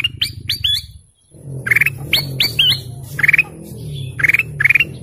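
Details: Golden canary giving rising whistled chirps, then buzzy trilled phrases repeated several times over a steady low hum.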